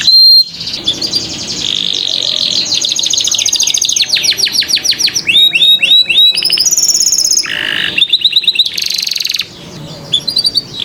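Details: Long canary song for teaching juvenile canaries to sing, delivered loudly and continuously: buzzy rolls, quick repeated slurred whistles, dense trills and a short harsh note, each phrase type repeated before switching.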